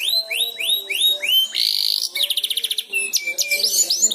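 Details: Canary youngster learning to sing after hearing another canary: repeated rising-falling swooping whistles, a harsh buzzy burst, a clipped stuttering trill, then varied high chirps and swoops.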